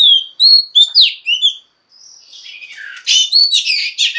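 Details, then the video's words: Female Oriental magpie-robin singing to draw song from males, with sweet whistled notes and quick downslurs, a short pause, then a busy warbled run of chirps. "Choè than mái kích trống hay nhất"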